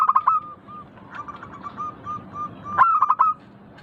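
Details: A local zebra dove sings a rapid, stuttering burst of clear notes, then spaced soft coos, then another clipped rolling burst. This is the manggung ngayer singing style, with faint background noise.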